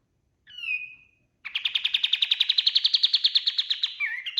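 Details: White-eye, kapas tembak kind, singing boldly as a training master for other birds: a steady whistle, a gap, then a long quick trill of regular buzzy pulses, finishing with a few lower slurred notes.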